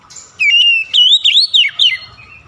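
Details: A loud whistled song phrase from an oriental magpie-robin. A long clear whistle leads into four quick notes that bend up and down, ending in a soft trailing tone.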